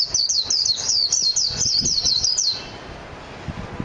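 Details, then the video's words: Japanese white-eye singing a fast, high, twittering phrase of rapid descending chirps for about two and a half seconds, then near quiet with faint low noise. "تغريد طائر ابيض العين الياباني ميجيرو"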